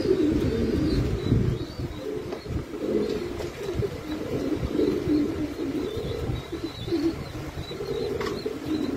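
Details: Pouter pigeon giving deep burbling coos in swelling phrases about a second long, one after another, with faint high chirping in the background.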